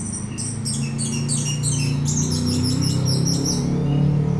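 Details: Singing orange-headed thrush played to provoke another bird: a dense stream of rapid, chattering high notes repeated several times a second, over a strong low droning hum.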